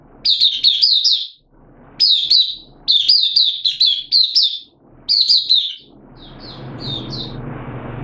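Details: Mata puteh, an oriental white-eye in a hobby cage, open singing on 8 September 2022: four energetic phrases of rapid high chirps, then softer faint notes over rising low rumble and room noise.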